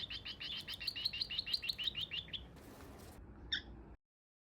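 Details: A cockatiel chick about one and a half months old, just moved from a birdcage to a larger cage and flapping its wings, gives a quick run of high, scratchy chirps, then one last call after a rustle.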